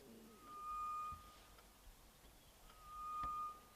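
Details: A Grey-headed Bush-shrike at Rietspruit Game Reserve, Lowveld, South Africa, on 20 August 2024 during a sunset safari, gives two long, steady, mournful whistles on one low note, each nearly a second long and about two and a half seconds apart, over quiet hiss.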